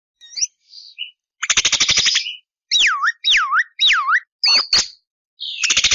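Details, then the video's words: Javan myna song: short high notes, a dense buzzy rattle, then three loud looping whistles that swoop down and up, followed by sharp chips and another rattle. "JALAK KEBO GACOR DURASI PANJANG TANPA BANYAK JEDA"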